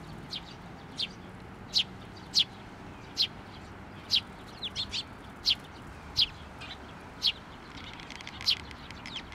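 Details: Sparrows coming for food and feeding chicks at a Tenmangu shrine on 22 May 2024. Short, sharp, high chirps repeat roughly every half to one second over a steady low background hum.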